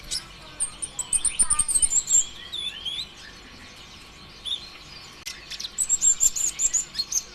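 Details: Sunbird, locally kolibri ninja (green type), sings nonstop as a lure to stimulate other birds: high twittering phrases with thin sliding whistles, a quiet pause, then a fast series of high ringing notes.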